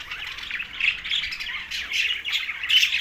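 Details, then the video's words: Several green budgies in Larkana, Sindh, chirping while they feed, a steady stream of rapid, scratchy twitters and short squawks layered over one another, ending on a clearer whistled note. "Green Budgies Talking"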